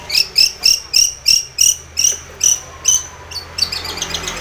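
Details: Long-tailed shrike calling to provoke a rival: a rapid series of about thirteen sharp, high, slightly rising chipping notes, evenly spaced, fading a little toward the end, over a quiet background.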